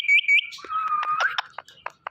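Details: Pet talking parrot giving two high whistled notes, a long steady whistle, then a string of short clipped chirps and squeaks, all indoors and close.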